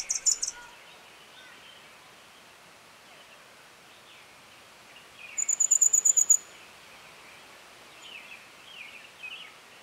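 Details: Red fody, also called Madagascar fody: a short high buzzy burst at the start, then a rapid run of about nine very high, sizzling notes lasting a second, over softer chirping of other birds throughout.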